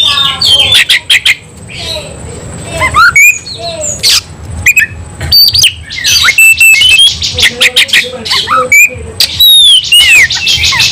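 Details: White-rumped shama (kacer) singing while fighting, full of emotion: loud, dense bursts of sharp clicks and harsh rasps mixed with high whistled slurs and rising notes, near-constant with brief gaps.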